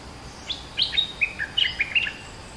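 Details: Lure song of a caged olive-winged bulbul, caged for two months, with doubled phrasing: two bubbly bursts of fluty, slurred notes, the second longer and more jumbled, against faint steady hiss.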